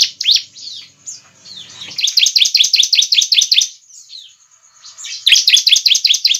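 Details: Bar-winged prinia song for luring birds: opening sharp downslurs, then two long runs of rapid, evenly repeated high chirps separated by a quieter pause with soft notes.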